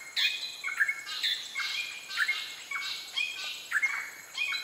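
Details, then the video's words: Greater racket-tailed drongo on Pulau Weh, Indonesia, giving varied metallic whistles and sharp chirps in short phrases about once a second, some notes sliding downward, over a steady high insect hum. "Greater Racket-tailed Drongo song"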